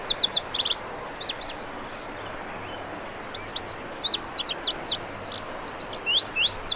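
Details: Male-type Lazuli bunting singing, with a burst of high sweet slurred notes, a brief gap, then a longer varied phrase of rapid paired chips and sweeping whistles lasting several seconds.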